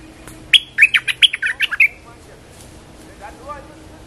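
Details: Caged bulbul used as a lure bird, calling energetically and leaping at its cage: a quick run of about nine short, sharp chirped notes over a second and a half, then quieter faint notes in a low background hum.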